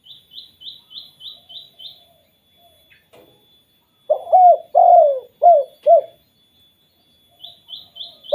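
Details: Spotted dove calling in the 'kuk 2' style that sets off other doves: a single phrase of five soft, low coos near the middle, bracketed by quick repeated high-pitched chirps that stop and restart.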